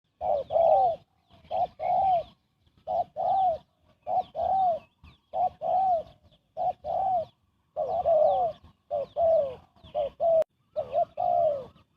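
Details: Spotted dove giving fast cooing used as a lure for bird trapping: hoarse two-part phrases, a short hooked note then a longer descending coo, repeated in a steady run of about a dozen phrases with brief pauses.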